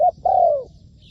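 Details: Ground decoy spotted dove used in trapping. It gives a quick clipped coo, then a drawn-out coo that slowly slides lower and fades. A faint high chirp follows.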